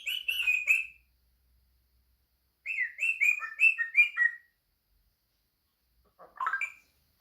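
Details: Pet African grey parrot indoors making noises: three bursts of bright chirping whistles with a slurred, warbling quality, a grouped run of similar rising-falling chirps, then a lower, rougher squawk-like call near the end.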